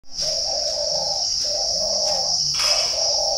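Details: {'caption': 'Spotted dove at a dove-keeping garden in Ba Vì, Hanoi, northern Vietnam: soft low cooing phrases of three drawn-out notes with brief gaps, over a steady shrill insect whine.'}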